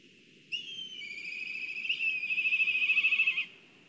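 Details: Black kite at its nest in Kurzeme, Latvia, excited and calling on a live nest camera: a high whistle that slides down and settles into a trembling, quavering whinny of fast pulses lasting about three seconds, then stops.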